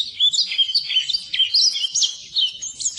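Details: Brief burst of white-eye song: busy, high, liquid twittering of fast slurred notes without pause, offered as a model for birds that stall in singing.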